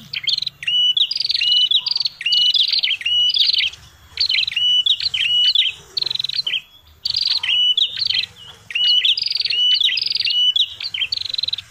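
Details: Red-headed prinia (prenjak kepala merah) lure call: bursts of scratchy buzzing trills with short whistles, delivered in groups separated by brief silences of about half a second, faint hum beneath.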